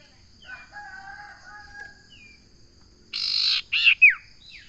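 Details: Common iora: soft low whistles, then a harsh buzzy burst followed by two quick downslurred notes, with a steady high hum in the background.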